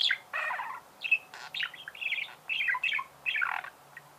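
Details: Pet budgerigar warbling in short grating bursts, alternating buzzy trills with brief whistled chirps, about one phrase every half second.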